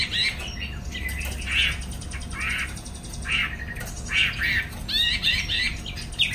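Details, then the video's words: Caged Chinese hwamei in Hanoi, Vietnam, singing in the afternoon while spreading its wings: hoarse, squawky notes alternating with sharper slurred whistles at an irregular pace, over a low background rumble. "Chú mi chiều nay thích fang cánh"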